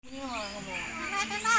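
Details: Common hill myna imitating human speech: a drawn-out, voice-like utterance with a rich harmonic tone that wavers and rises toward a sharper, louder ending, against quiet background.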